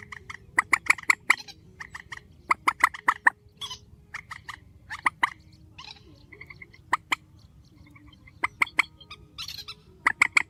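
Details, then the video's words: Strong grey-headed swamphen calls in a spliced recording: repeated groups of sharp, staccato clucking notes, some fast and clustered, others single, spread across the stretch with light hum beneath. "Tiếng trích TRÍCH GHÉP SỐ 4, tiếng trích mạnh"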